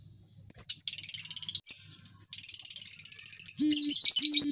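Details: Lovebird colony chattering in fast, high, buzzy chirps, repeated in dense runs separated by a short pause. Near the end, two low steady tones sound under the chatter.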